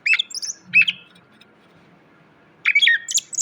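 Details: Greater green leafbird training song for cage birds: two short bursts of high chips and slurred whistles, a quiet pause of nearly two seconds, then another bright burst.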